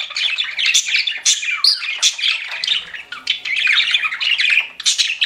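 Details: Budgerigars kept as pets chatter in quick bursts of scratchy warbles and short rising squeaks, the calls tumbling over each other in a lively flock sound.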